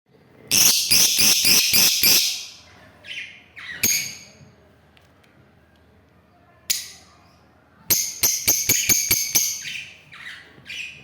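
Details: Lovebird giving bursts of rapid, sharp, high chirps, about four per second, in two runs of eight or nine notes separated by scattered single clicks and short squeaks.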